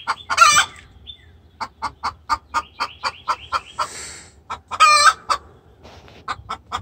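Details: A very vocal hen calling the rooster in distress: two loud, buzzy squawks bracket a long regular series of clucks, while small birds twitter softly behind.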